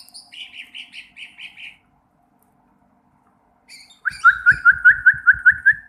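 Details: Sooty-headed bulbul learning to sing: a row of five soft, even, buzzy notes, a pause, then a louder series of about eight sharp, evenly spaced whistled notes that slide slightly downward.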